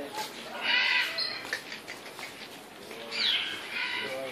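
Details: Red-shouldered macaw giving two short, harsh, raspy squawks about two seconds apart, each a brief noisy burst, with quieter rustling between them.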